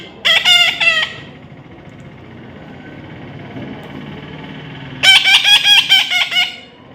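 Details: Baby parrot being tamed, giving harsh, harmonic-rich squawks in two bursts: a rapid string of grating notes at the start, then after about four seconds of quiet another fast run of repeated screeches.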